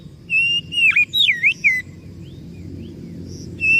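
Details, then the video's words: Oriental magpie-robin lure song, played to coax a silent or stressed bird into singing: clear whistled phrases that dip and rise, packed into under two seconds, then a faint pause and one more high whistle at the end. "SUARA PANCINGAN _burung kacer macet bunyi / stres"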